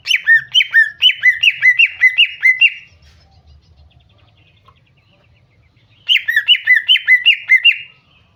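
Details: Greater green leafbird female uttering lure calls to set a male singing: two bursts of rapid, ringing chirps, each sliding down in pitch, about two and a half per second, with a three-second pause between.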